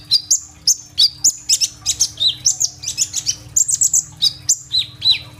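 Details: Kolibri ninja sunbird singing hard with rolling fill-ins, recorded by phone; densely packed high, sharp chirps and short falling whistles follow one another almost without pause, over a steady electrical hum.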